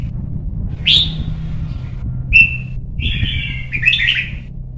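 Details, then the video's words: Young white-cheeked red-whiskered bulbul, caged and trained for competition singing in Vietnam. It gives a few separate notes: a rising whistled note, a short clear whistle, then a wavering warbled phrase, over a steady low hum. "CHÀO MÀO | Luyện giọng má trắng chim non - Thúc chim hót hay hót đấu"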